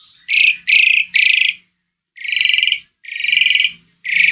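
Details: Asian pied starling (jalak suren), a recording played to prompt a reluctant bird to sing: loud, harsh, buzzy, grating bursts about half a second long, three in quick succession, then longer rasping bursts after pauses.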